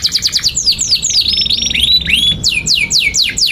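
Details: Canary song meant for tutoring young canaries: quick repeated short notes, a drawn-out whistled tone with slurred sweeps, then loud descending whistles about four per second.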